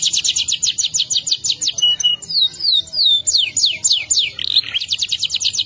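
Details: Canary delivering a long rolling master song: rapid high trills at the start and end framing a middle passage of downward-sliding whistles and a short rough burst.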